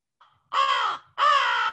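An American crow gives two harsh, hoarse caws, each about half a second long, with a brief gap between them. No other sounds are heard.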